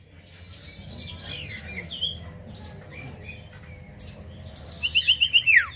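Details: Common iora lure song: soft mixed chirps from other birds give way to five rapid ringing notes closing with a steeply falling whistle.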